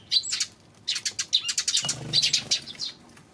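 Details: Eurasian tree sparrow chirping on June 19, a lively stream of sharp, high chips closely spaced, with a brief low thud partway through.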